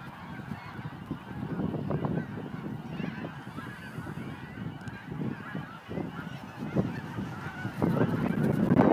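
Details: Chorus of snow geese at a Montmagny marsh in mid-April 2012: countless overlapping honks form a continuous clamour that swells louder near the end, with low background rumble throughout.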